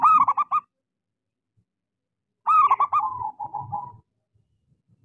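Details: Local Indonesian zebra dove, a small-voiced, lively singer, recorded as a lure to get silent doves singing: a short burst of rapid, staccato cooing notes, then after a pause a longer phrase trailing into softer rolling coos.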